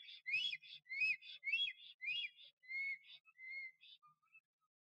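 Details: Male black stork at its nest in Puszcza Notecka, Poland, on 12 April 2023, singing and displaying to attract a female, who did not come: a run of wheezy, rising whistles, about two a second, fading into thinner, softer notes.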